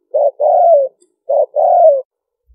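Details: Spotted dove call for luring birds: two matching phrases, each a short coo followed by a longer, slightly falling coo, repeated after a brief pause, clean and without other sounds.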